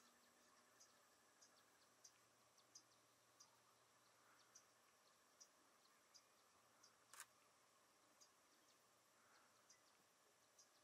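A green kingfisher gives dry, high ticking clicks, about one every half second, against a soft background hiss with one louder knock.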